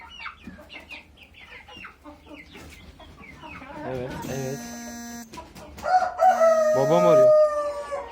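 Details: A rooster hidden among black Ottoman sultan chickens, unnoticed by its owner until it crowed, gives a strained, wavering crow with a drawn-out falling tail, amid hen clucks and a man talking.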